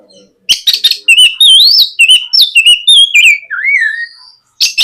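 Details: Morning lure song of a white-rumped shama, used to make a young shama sing: a rapid, varied string of loud whistled notes, rising and falling slurs with clicks, ending in a lower descending whistle before a final burst.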